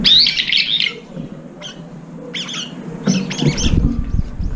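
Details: Brown-eared bulbuls, several birds arriving late at a nearly empty feeding bowl and competing for the last food. A loud, harsh, screeching call opens, followed by short rasping notes at irregular intervals over a steady low rumble.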